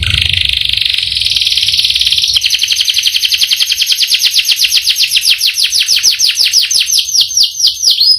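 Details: Canary in full song performing a long roll: a steady buzzy trill that shifts into rapid repeated descending notes, accelerating and continuous for about eight seconds, ending in a few distinct downward sweeps.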